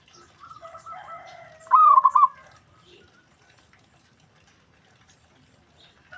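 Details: Zebra dove, whose call other doves reportedly answer straight away, heard as one short, loud burst of quick coo notes after softer, more distant cooing.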